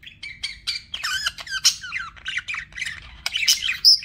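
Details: Pet budgerigars chirping: a busy run of short, quick warbled notes and squeaky chirps that rise and fall, with bright squawks scattered through and a sharp high note near the end. The room behind is quiet.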